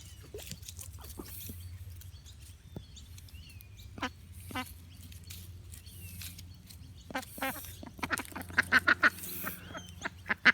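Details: Ducks on a lake in the morning, with ducklings present, give scattered harsh quacks and a louder burst of rapid calls near the end; faint whistles from other lake birds and low background rumble.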